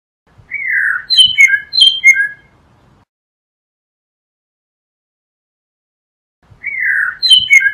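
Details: Blue mockingbird delivering a descending slurred whistle followed by several bright, higher chipping notes. The phrase repeats after a pause of about three seconds.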